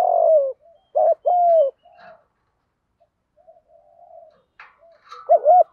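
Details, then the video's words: Spotted dove in continuous fighting coo, field-voice style for luring wild doves: a long falling coo, then two rounded coos, soft murmurs in the middle, and a wavering double note closing the passage. "Chim cu gáy giọng đồng gù đấu liên tục dúp bổi ức chế rất cao"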